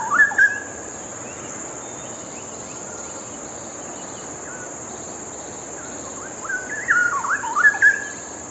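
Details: Straw-headed bulbul (cucak rawa) singing in two short bursts of rich, gliding warbled notes, one at the start and a longer run near the end, separated by a quiet stretch, over a steady thin high whine.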